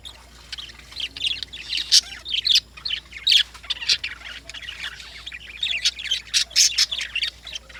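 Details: Morning calls of lovebirds: dense, shrill chirping and squeaky notes in quick clusters, rising and falling in loudness, with brief pauses between bursts of overlapping high calls.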